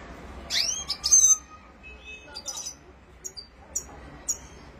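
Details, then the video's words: Red-fronted serin, a Himalayan finch, singing a rolling song: scattered high thin notes and short twittering phrases with quiet gaps, over a low steady hum. "Top Red Fronted serin Rolling Singing"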